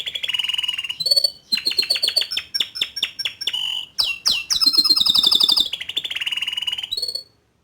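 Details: Young male Atlantic canary singing to stir a juvenile canary into singing: fast varied song of bright chirps, sweeping notes, rapid repeated trills and a long sustained rattling trill, continuous with brief pauses.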